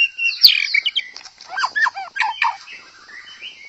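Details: White-rumped shama song meant to spur other shamas into full song: a bright burst of high notes followed by a quick series of varied, looping mid-pitched whistles, then fading softer warbles.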